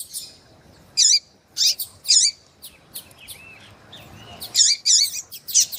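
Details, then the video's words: Female Double-collared Seedeater, in heat and peeping, calls to rouse a male with bright high chirps in twos and threes, separated by quieter ticks, over light background noise. "FÊMEA DE COLEIRO QUENTE CHAMANDO MUITO FOGOSA E PIANDO"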